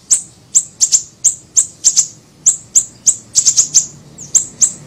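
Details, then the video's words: For luring and training, a small siri-siri bird gives a quick, uneven chain of very high, sharp chip notes, some doubled or tripled, steady in loudness with a clean background. "MASTERAN PANCINGAN PIKAT SUARA BURUNG SIRI SIRI KECIL"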